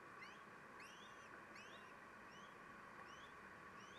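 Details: Feeding at a common kestrel nest shortly after noon, the male snatching food: a series of thin, rising-then-falling whining notes repeats roughly every half second over constant low hiss.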